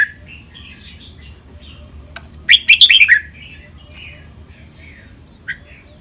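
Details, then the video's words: Caged red-whiskered bulbul training song for caged birds to copy, in styles called len rik, lak boen, lak wai, mae bot and nap dok: faint warbling notes, then one loud, rapid burst of chirpy whistles and a single later note. "นกกรงหัวจุก เสียงร้องเล่นริก ลักเบิ้ล ลากหวาย แม่บท นับดอก"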